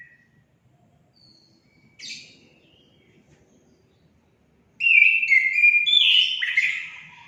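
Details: Orange-headed thrush song played to get pet birds singing: one brief faint note and a soft buzzy call, then a loud, rich phrase of tumbling whistles near the end.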